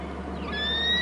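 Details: Bald eagle calling at its nest and territory on Hornby Island: a single drawn-out whistle rising slightly in pitch, with a clear overtone, over a steady low hum.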